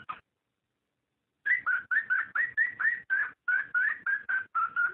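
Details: Cockatiel mating call aimed at stimulating breeding; a single note, then after a pause a steady run of about fourteen short whistles, several sweeping upward, given at a lively pace.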